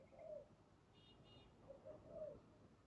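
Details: Spotted dove, wild, recorded while being trapped with a decoy: two soft, low coo phrases with a faint higher chirp between them and background hum.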